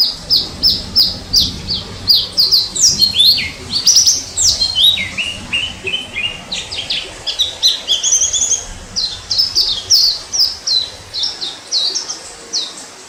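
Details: Wild orange-headed thrush, 2018 recording, pouring out a long varied song: quick high whistled notes and slurred sweeps, some dropping lower mid-phrase, about eighty notes a minute in an irregular rhythm, with faint low rumble behind.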